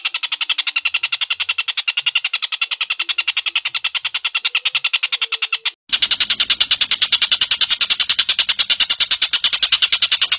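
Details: Collared kingfisher, known locally as tengkek buto, in a long-duration recording: rapid harsh, broadband cackling notes repeated about three to four times per second. The series breaks off abruptly near the middle and resumes, louder and with more background hiss.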